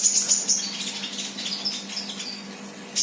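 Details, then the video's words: Actively singing untrained sunbird opening with a fast, very high, sharp twittering run, then scattered fainter high notes and a final bright high chirp, with a constant low hum underneath. "Burung kolibri bahan Gacor"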